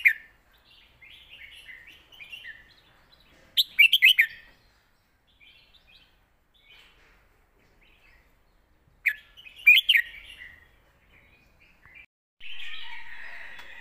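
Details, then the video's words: Red-whiskered bulbul master song: two loud, quick phrases of bouncy whistled notes several seconds apart, between them soft warbling from other birds, ending in a steady hiss. "เพลงแม่บท นกเสียงทอง"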